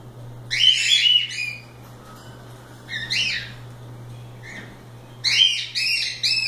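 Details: Cockatiels out of the cage playing, bursts of raspy harmonic squawks at the start, a single mid call, and a fresh loud rising pair near the end.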